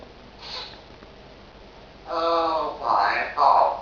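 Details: Pet African grey parrot indoors: after a quiet stretch, three loud harmonic, voice-like bursts in quick succession in the last half of the clip, like spoken words, against faint room hiss.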